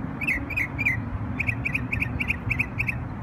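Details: On Memorial Day in New York, a bird repeats short doubled chirping notes, three slower pairs then a rapid, regular series of paired chips, with a continuous low hum underneath.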